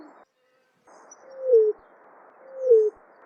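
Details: Greater roadrunner giving two low, dove-like coos that drop in pitch and end abruptly, about a second apart, against a constant background hiss.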